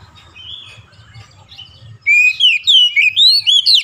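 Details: Oriental magpie-robin song for coaxing a lazy bird into nonstop singing: two seconds of faint warbling, then a loud fast series of clear whistled notes sweeping up and down, roughly three per second.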